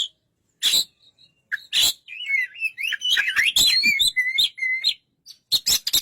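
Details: White-rumped shama singing: loud harsh broadband bursts alternating with a run of clear whistled phrases that rise and fall, then more sharp clicking notes at the end.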